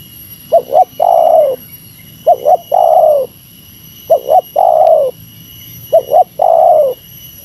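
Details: Spotted dove, meratus lure call aimed at a rival bird. Four evenly spaced phrases, each a short paired coo leading into a drawn-out coo that droops at the end. A faint high tone hums throughout.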